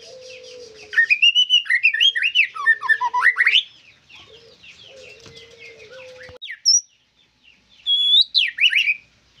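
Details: Lively white-rumped shama phrases of rising and falling whistles and chattering notes, then a long lull with a faint steady low tone before a few final sharp whistled phrases.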